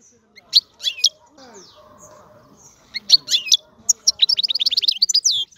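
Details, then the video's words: European goldfinch giving scattered chirps and short twittered notes, building into a quick run of tinkling trills at the end; faint low background murmur in the pauses. "الحسون - هذا الطائر يغني. بأجمل صوت موجود في البرية"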